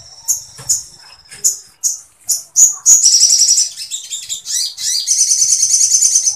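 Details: Sooty-headed bulbul in energetic song with long bursts of woodpecker-like material for tutoring birds: spaced high chips speed up into fast, buzzy, rattling trills.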